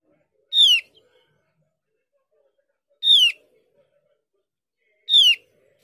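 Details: Javan grey-throated white-eye played as a lure to make other birds of its kind answer, including silent or untrained ones; loud, harmonic down-slurred notes, each about a third of a second, repeated every two to two and a half seconds over a quiet background.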